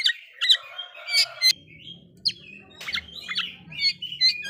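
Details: Oriental magpie-robin song meant to provoke other magpie-robins: varied bright whistled phrases and sharp broadband notes mid-to-high, delivered in short bursts with brief pauses, over a faint low rumble.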